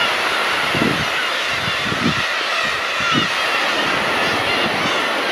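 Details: Steady broadband rumble of a moving vehicle or engine with low thumping pulses, and no animal calls.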